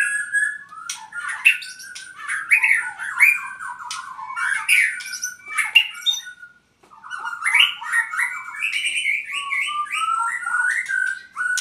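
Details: Owned albino white-rumped shama, Purwokerto, singing dense, jumbled phrases of squeaky notes, rattling trills and sharp high ticks, pausing once midway before a rising series of quick whistled notes.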